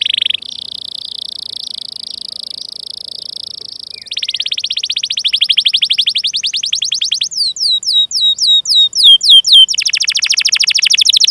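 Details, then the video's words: Canary in long, vigorous song with 'cuit cuit' calls and rolls, used to coax young, untrained or silent canaries into singing. A high rolling trill holds about four seconds, then faster repeated notes, sharply falling whistled sweeps, and a dense buzzy trill. "Masteran Suara Burung Kenari Gacor Panjang cuit cuit Ngerol untuk Pancingan Kenari!"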